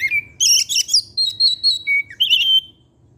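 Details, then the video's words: Afternoon song of an Oriental magpie-robin: a sustained whistle, then a dense scratchy burst, a run of five or six quick pulsed notes and a final bright whistle, loud and close. "pancingan suara kacer , Opus setiap sore ngeplay dan keluar materi"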